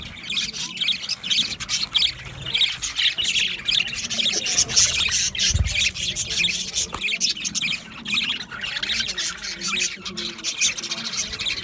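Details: Budgerigar flock in an aviary producing constant high chattering and chirps, dense and overlapping, with a brief low thump near the middle.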